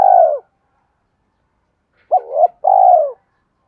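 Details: Spotted dove coo used as a lure for training decoy birds. A long downward-sliding coo ends one phrase. After a silent gap, a new phrase follows: a quick wavering two-part note and then a drawn-out, falling, low coo.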